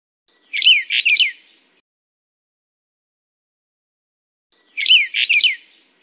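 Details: Brown bullfinch of the Taiwan endemic subspecies Pyrrhula nipalensis uchidae. It gives a quick burst of three to four sharp, twisting chirped notes, then a long pause, and the same short phrase again, in otherwise silent surroundings.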